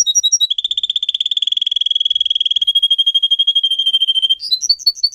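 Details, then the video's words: Singing pet canary from a song-training recording: a few clear chipped notes lead into a long, fast, even trill that rattles on for about four seconds, then ends in sharper bouncing notes. "Canary song video - type of song"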